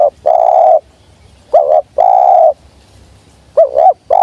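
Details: Tekukur (spotted dove) calling to draw wild birds down: long level coos alternating with short wavering double coos, roughly one phrase every two seconds, over a faint low hum.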